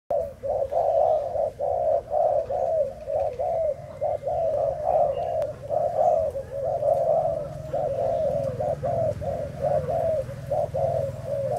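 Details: Spotted dove of Thai stock, recorded 11 August 2018, cooing almost without pause: a long run of low, soft hooting notes with short gaps, over a faint low hum.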